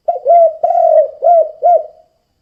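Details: One clear 'kuk 2' phrase from a spotted dove, a call used to lure other doves. Low and mellow, with a clipped first coo, a longer held note and two arched coos, ending softly.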